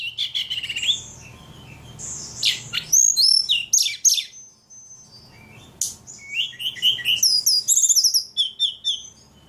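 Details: Ledekan in lively song: clusters of rapid high chirps and trills, sharp downward notes and thin whistles, broken by a brief pause before another chattering phrase.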